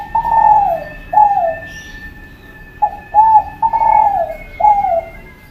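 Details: Spotted dove of the Kelantan type, a lively singer, giving soft low coos, each a short note falling in pitch. Coos come in spaced groups, some doubled, over a steady faint whine and a low background hum.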